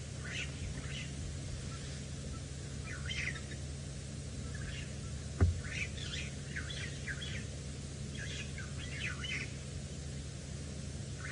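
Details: Starlings at sunset in Djuma Game Reserve, Sabi Sand, South Africa, making a lot of noise in the background: scattered bursts of chattering, squeaky notes through the clip over a steady low engine hum, with one sharp click.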